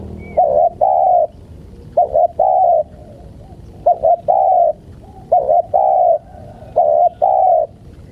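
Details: Spotted dove cooing to lure wild birds. A low, mellow phrase of two quick stuttering notes and one long hollow coo repeats about every one and a half seconds, five times, over faint rural background.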